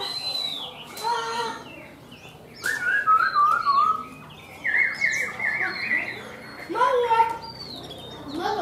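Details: Varied phrases from a caged Chinese hwamei praised for ornamented song: mid-pitched slurred whistles, a few descending runs and scattered higher notes, with gaps and some harsh chatter between bursts.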